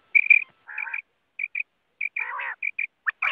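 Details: Quail calling as a lure for net hunting: strings of short, evenly pitched high piping notes interrupted by nasal, buzzy grating calls and a few quick rising whistles.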